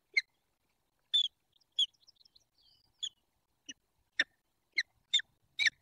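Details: Wild peregrine falcon pair at their nest in the Barycz Valley, Poland, on 28 February 2023, mating and tending the nest scrape. Sharp, harsh chips and short bursts repeat irregularly, with a few soft high squeaks between them.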